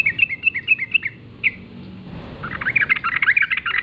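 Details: Wild sooty-headed bulbul singing in the morning in forest-style gacor ngalas song: a run of bubbly chirps, a single note, a pause, then a denser burst of chattering phrases.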